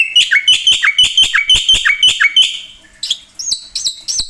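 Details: Lively 'gacor' song of a black-winged myna (jalak putih) with 'isian' phrases, used for training and luring birds: clear, regular whistled notes with down-slurred tails about three per second, then high looping whistles.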